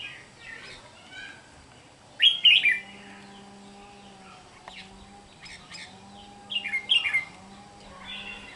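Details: A wild-caught red-whiskered bulbul, recorded 8/6/23, gives two loud, bright, warbling phrases about four seconds apart, with softer chirps between them and a steady low hum underneath.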